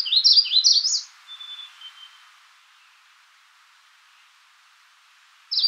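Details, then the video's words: High, bright Magnolia warbler phrase of four or five looping slurred notes lasting about a second, then a soft drawn-out whistle and near silence until another phrase starts at the very end. "Magnolia warbler Calling."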